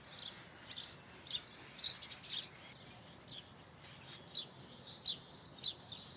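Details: A house sparrow repeats emphatic chirps, a quick cluster at first and then single notes spaced about half a second apart, over soft background hiss.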